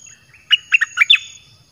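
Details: Red-whiskered bulbul kept in a cage, its 'dok taeng' song used as a lure for wild birds; a crisp phrase of four to five liquid, slurred whistles, quickly up and down, over a thin constant whine.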